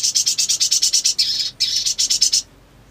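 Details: Black sunbird, a sogon kept for song training, singing a rapid run of high, thin chattering notes about ten per second for over two seconds, with a brief break midway, then silence.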